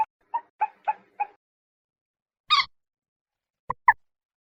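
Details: Common moorhen uttering a quick run of five throaty clucks, then a loud harsh double croak. Two sharp clipped notes close the sequence.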